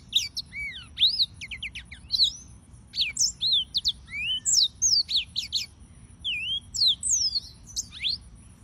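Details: Yellow-fronted canary (Serinus mozambicus) in full song: a rambling sequence of quick whistled slurs, some rising, some falling, delivered in clusters with short pauses between bursts.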